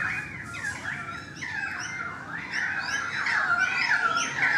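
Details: Several currawongs near a balcony sing in a continuous tangle of warbling, swooping whistles that grow louder toward the end.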